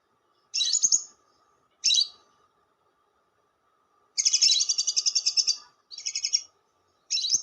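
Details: Lovebird lure chatter known as ngekek panjang: two short shrill squeaks, a pause, then a long loud run of rapid, even, piercing pulses, followed by a shorter pulsed burst and another squeak.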